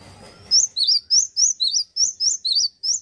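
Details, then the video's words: Persistent male cinereous tit delivers nine crisp, high whistled notes in a steady see-saw rhythm, alternating between a higher and slightly lower pitch. "PECINTA GELATIK BATU PASTI SUKA...GACOR BAGUS PEJANTAN YANG KEREN"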